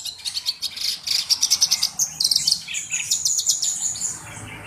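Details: Black-browed reed warbler in full song, valued as a tutor bird for its distinctive voice. Rapid runs of sharp high-pitched notes repeat in quick pulses, then turn into a looser twittering phrase.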